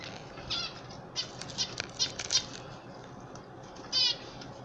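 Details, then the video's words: Pet canaries, an old bird and chicks, during hand feeding; a run of short high chirps followed by a stronger harsh, buzzy call near the end, with faint rustling in the background. "Hand Feeding my Old and chicks Canary bird"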